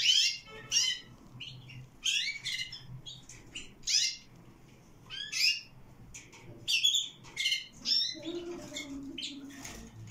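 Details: Canary chicks, 22 days old, give bursts of harsh, high, rising chirps about once a second. Fainter squeaks fill the gaps, and a low hum sits underneath.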